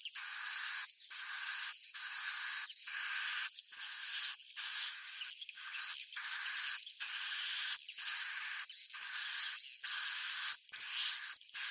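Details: Roosting call of swiftlets. Buzzy, hissing high-pitched chirps about a second long repeat steadily, roughly one per second, with brief silences between.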